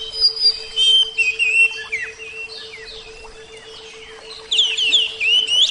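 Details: Javan oriental magpie-robin (kacer jawa) from a therapy recording: varied whistled phrases and chirps that quieten midway, then a loud rich burst of song, over a constant low hum.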